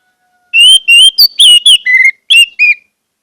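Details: Orange-headed thrush singing a lure phrase for caged birds: a fast, continuous string of about eight clear whistled notes, some level, some slurred up or down, with one lower note in the middle, delivered within two seconds.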